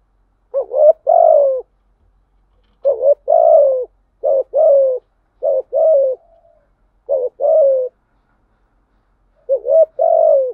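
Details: Lure recording of a spotted dove in thổ voice style, meant to draw in wild doves: six low two-part coo phrases, a brief upward hoot then a drawn-out descending coo, repeated every one to two seconds.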